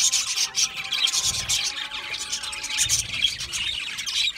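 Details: Budgerigars eating seeds fill the air with a constant stream of thin high chirps and warbling chatter, with soft low rumbles twice in the background.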